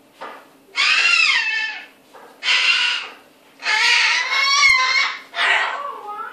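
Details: Cockatoo mimicking some unknown sound: four loud, harsh, raspy calls rich in harmonics, each about a second long and separated by short pauses, some sliding downward at the end.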